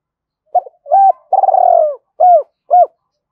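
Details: Spotted dove cooing, meant to stir caged decoy doves into calling: one phrase of five low, mellow notes, a short coo, a hooked coo, a long buzzy rolling coo, then two clipped falling coos, against complete silence.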